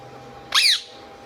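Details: Indian ringneck parakeet kept as a pet, giving a single sharp squawk that sweeps up and then falls, loud and brief against a quiet room.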